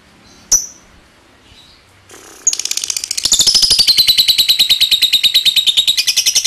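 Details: Lovebird: after a single sharp chirp and a quiet gap, a long 'ngetik ngekek' chatter begins, building into a loud, fast stream of shrill clicks that runs to the end.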